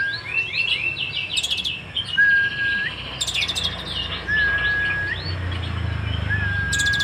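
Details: Sunbird known locally as kolibri ninja, Cililin, delivering a full 'isian' song: rapid high chirps and twitters with short buzzy trill bursts about every two and a half seconds, plus level mid-pitched whistles, over a steady low hum.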